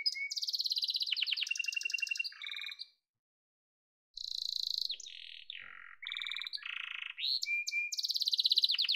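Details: Yellow canary song with loud rapid high trills and low rattles, a second-long silence, then more varied tours of buzzy rolls, bubbling notes and a steady fast trill.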